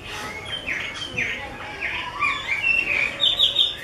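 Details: A 'mơ' type Chinese hwamei, an artisan's bird, gives soft slurred notes that build into louder, rapid whistled phrases climbing higher toward the end.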